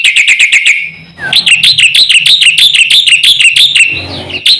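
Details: Black-winged myna song intended to provoke other mynas: a fast run of clipped notes, then a steady series of ringing upslurred whistles repeated about three times a second, ending in a soft rasp.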